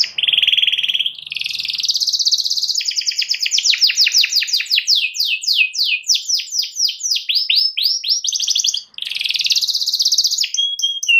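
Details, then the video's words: Canary singing long and loud to provoke a rival into singing: a steady high warble, then a long run of rapid descending slurs, then renewed bright trills and a few separate whistled notes. "KENARI GACOR MEMANCING LAWAN AGAR IKUT GACOR"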